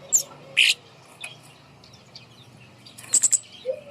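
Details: Kemade bird kept hanging above to coax quiet birds into singing; a few piercing high chirps early and a quick triple chirp near the end, with a low smooth whistle closing the clip.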